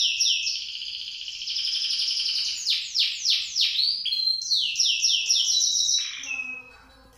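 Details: Caged canary just out of its moult, relearning its song: a fast rolling trill, then a run of repeated downward-sweeping whistles about four per second, ending in a lower churring note.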